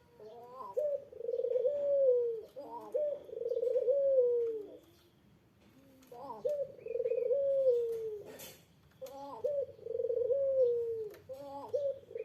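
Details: Collared dove (puter) calling to provoke an answering rival: four cooing phrases with gaps, each an abrupt rising start, a rolling purr and a long slow downward coo, plus occasional faint higher chirps and a click.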